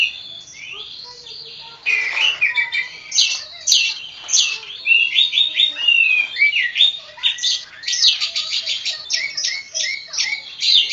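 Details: Oriental magpie-robin (kacer poci) from Java, a songbird in full song: a dense run of varied whistled notes that rise and fall, broken by short rasping phrases, speeding into fast chattering trills near the end.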